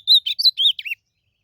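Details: Azulão, the blue-black grosbeak, in a song contest in the wild: one short phrase of five bright whistled notes, rich and slurred, the final note dropping lower, then silence.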